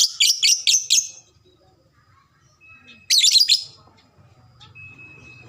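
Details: Lovebird sound for triggering quick ngekek chattering: an opening run of four or five shrill, raspy notes in fast succession, then silence, then a second harsh squealing burst and a faint thin steady tone afterwards.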